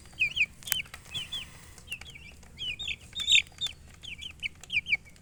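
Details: Chicks chirping with looping, high, slurred peeps in small clusters, against a background of clicks and knocks and a low hum.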